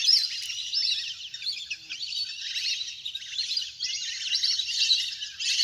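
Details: A large flock of ducks playing in the water, recorded in nature and used to lure birds down; dense, overlapping high chirps and whistles chatter without pause, swelling and fading in waves.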